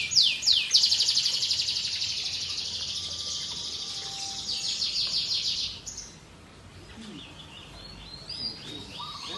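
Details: Canary song: a few sharp opening notes, then a sustained rapid high trill for several seconds, fading into quieter scattered chirps and whistles over faint background noise.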